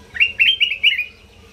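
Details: North Sumatran sooty-headed bulbul, singing steadily as a master recording for training, gives one quick phrase of four clear whistled notes, each slurred and level, rolling together then fading, over a faint low hum.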